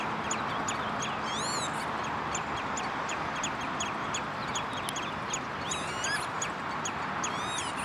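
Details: Common redshank at De Wollebrand water storage basin in Naaldwijk, Westland, Netherlands, 11 June 2013: clear looping whistles rising then falling, in bursts near the start and end, with short sharp notes between and steady background rush.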